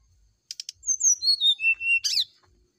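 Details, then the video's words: Brown-chested jungle flycatcher's morning fluting song, meant to draw a reply. Three short buzzy bursts open the phrase, clear whistles descend through it, and a loud rasping note closes it. "TERAPI SRDC DI PAGI HARI ,PANCINGAB SRDC NYULING DI PAGI HARI"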